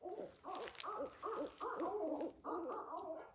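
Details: Barred owl (Strix varia) in a North American backyard gives a run of rich, wavering hoots, about six arched notes in quick succession, each with a slight quaver; no other sounds stand out.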